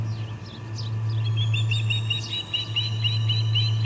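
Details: Ospreys at the Charlo P2 nest on August 21, 2020, 4:15pm MDT, three birds present, one flapping while another flies: a series of high, whistled chirps, slightly downslurred, over a steady low hum and background noise.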